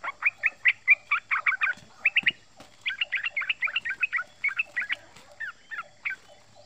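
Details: Young male yellow-vented bulbul, under one year old, giving its rapid 'ropel ngeriwik' chatter, recorded for use as a lure: bursts of short, sharp, bright chirps in quick runs with brief pauses between groups.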